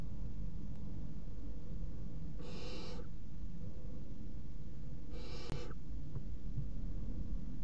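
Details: Three barn owl chicks at 01:30 on 30 June 2016, all feeding on one mouse. Two breathy, snore-like hisses about half a second long, nearly three seconds apart, against a continuous low hum and one click.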